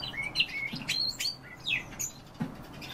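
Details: Common starling singing a fast, dense run of varied whistled notes: sliding, rising and falling phrases mixed with brief clicks, over a faint low background hum.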